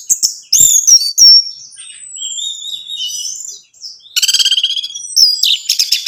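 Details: Orange-headed thrush song, used to stimulate a captive bird to sing; sharp slurred whistles, a long thin descending whistle, then a fast buzzy rattling trill and closing chips.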